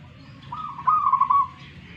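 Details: Zebra dove of local wild stock, Tuban, East Java, Indonesia, competing: one drawn-out cooing phrase that starts soft and turns into loud rapid stuttering pulses before fading.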